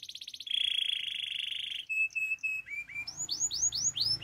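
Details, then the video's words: Russian canary song: a loud sustained rolling trill, a short steady tone, then a series of rising and falling upslurred whistles repeated rhythmically. "Canary birds chirping - Russian canary song"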